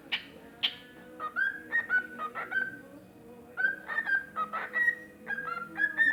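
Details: A pet cockatiel, singing toward a tobacco can, gives a string of clear, whistled notes, many sliding upward, in two quick phrases.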